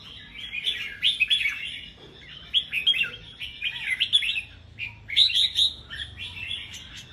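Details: Caged red-whiskered bulbuls sing in competition. Lively overlapping phrases of sharp, liquid whistles and chatter come in repeated bursts, with a few clear high notes standing out near the end.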